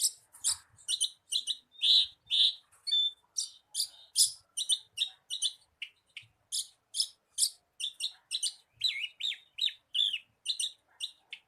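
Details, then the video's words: Javan bushlark singing, played to stimulate a caged bird: a long, lively run of varied high chirps and whistles, some buzzy and some sliding, delivered quickly and without a break. "SUARA PANCINGAN BURUNG BRANJANGAN AGAR CEPAT GACOR"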